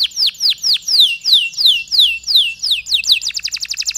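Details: Canary singing a long song with pauses, used to get stressed canaries singing. Slow, loud descending whistles about three per second give way to a faster, higher rattling trill at the end.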